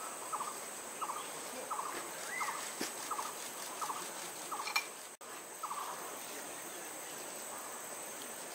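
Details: Jerdon's baza (Aviceda jerdoni) recorded at Rongtong, West Bengal, India, in June 2022, giving a series of short, clipped mid-pitched notes about one every two-thirds of a second over a steady high insect drone.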